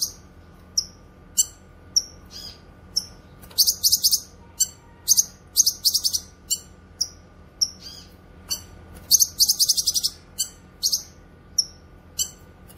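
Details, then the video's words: Singing cucak kinoy used for masteran training and pikat luring: sharp single notes spaced about half a second apart, building into dense rattling high chatter bursts, then easing back to separate notes. "Masteran suara burung CUCAK KINOY gacor cocok untuk masteran dan pikat"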